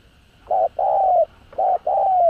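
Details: Spotted dove coos used to lure wild birds: two paired phrases of low, steady hooting notes, a short note then a longer one that slides slightly downward at the end.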